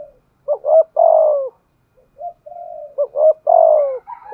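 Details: Decoy spotted dove, 'giọng thổ' voice type, cooing 'thúc gù'. Two phrases of double short notes and a long sinking coo, separated by a soft, flat, sustained coo.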